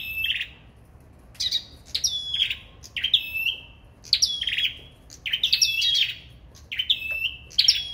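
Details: Sâu đầu đỏ in competitive song: about seven short phrases, each a sharp high chip dropping into a bright, level whistle that trails off, delivered in quick succession over a quiet background.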